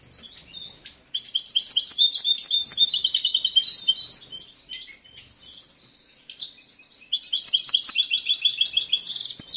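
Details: Caged competition male European goldfinch in breeding condition singing long, loud phrases of quick, high, jangling twitters and trills, separated by a quieter stretch of soft calls.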